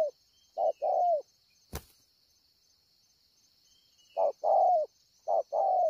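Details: At Ngọc Hồi on 25 March 2020, a spotted dove coos in low, soft two-part phrases, a brief note then a longer falling one, broken by a sharp click and a pause of several seconds before resuming.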